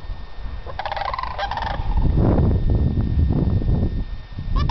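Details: Newly arrived sandhill cranes on Diamond Ridge, Homer, Alaska, about 30 feet away: a brief burst of rolling, trumpeting rattles, with steady wind rumble underneath.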